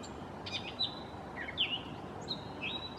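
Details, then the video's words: Gray catbird singing in a mockingbird-like mimicking style: a jumble of varied squeaky, whistled and slurred notes, some rising and some falling, in short bursts separated by brief pauses, over faint background hiss. "Gray Catbird Song"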